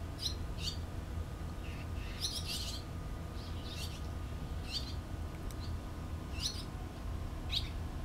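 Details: Barn swallow nestlings during parental feeding, 6 June 2013: scattered sharp high chirps and twittering bursts every second or so, against constant low-frequency background noise.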